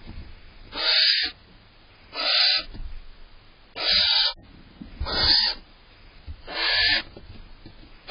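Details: Female barn owl inside a nest box on June 18th, annoyed as the male eats cached prey from previous days; five harsh, hissing screeches, each about half a second long, spaced roughly every 1.4 seconds, with faint rustling between.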